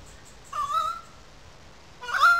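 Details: Loud currawong calls from a gully above wetlands in Sydney Park, St Peters, Sydney. A drawn-out, wavering whistled wail is followed just over a second later by a sharper, stronger cry.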